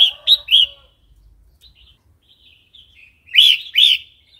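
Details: Wild-style song of a red-whiskered bulbul, used to coach young or newly caught birds: two quick liquid notes, soft scattered chirps over a quiet stretch, then two louder rolling whistled notes near the end.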